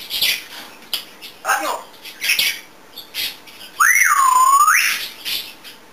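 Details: Pet African grey parrot, a chatty bird said to make many sounds, dance and sing, indoors: short noisy rasping bursts, then one loud rising-then-falling whistled swoop lasting about a second.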